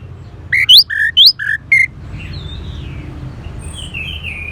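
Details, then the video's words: Orange-headed thrush alternating low whistles with sharply rising high notes in a brisk phrase, followed by soft, wavering warbled sounds. "Terap1 Suara ANIS MERAH Macet Bunyi Agar Mau Kenceng Dengar Kicauan Ini."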